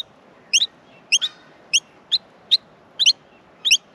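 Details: Australian miner chicks in a nest during feeding produce six or seven shrill chirps, often in pairs, spaced about half a second apart against a quiet background.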